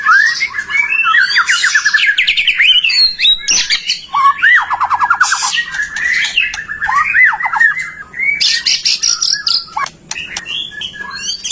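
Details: White-rumped shama song for coaxing other shamas to sing: loud varied phrases of whistled slurs, fast trilled series and harsh scratchy bursts, continuous throughout.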